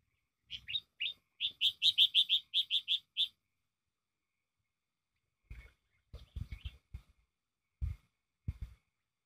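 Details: Sooty-headed bulbul song used as a trapping lure: a quick string of about a dozen sharp, evenly spaced chirping notes, then silence broken by scattered low knocks and thuds.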